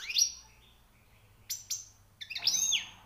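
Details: European goldfinch, freshly caught, giving high-pitched song notes: a sharp twittering burst, a pause, two short chirps, then a denser tinkling flourish, over a faint low hum.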